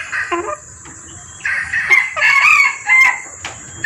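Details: Female junglefowl in heat summoning males, recorded for luring: a few short clucks, then a loud, harsh, rising-and-falling cackle in two bursts, with a thin steady whine throughout.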